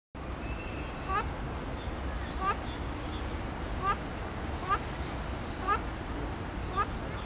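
Ruddy shelduck giving short nasal honks, one about every second, over a steady low rumble of wind or distant traffic.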